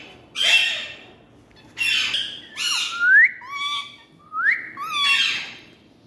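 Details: Playing green Indian parrots give raspy, broadband squawks in short bursts about a second apart, some ending in clear upward-sliding whistles, with quiet pauses between.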